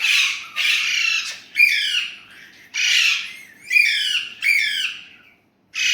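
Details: Pet Indian ringneck parrot, said to talk in Urdu/Hindi, gives loud harsh squawks with bright harmonic bands, in bursts of about half a second repeated several times with short pauses, indoors in a quiet room.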